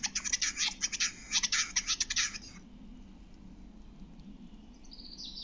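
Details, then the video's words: Song of a male Western capercaillie recorded in Lithuania: a fast, accelerating rattle of dry clicks for about two and a half seconds, then quiet with a faint high hiss at the end. "Lietuvos paukščiai: Kurtinys"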